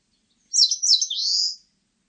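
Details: Eastern crowned warbler song: two quick, high, sweeping chirps, then a long, rising, buzzy drawn-out note that lasts about half a second, heard alone in a quiet background.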